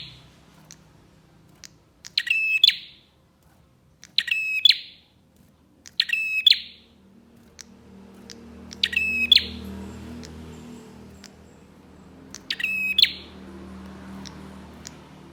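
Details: Prenjak (bar-winged prinia) song as a lure for other prinias: five loud buzzy rattling phrases with sharp onsets and bright endings, repeated about every two seconds, scattered ticks between, growing background noise later.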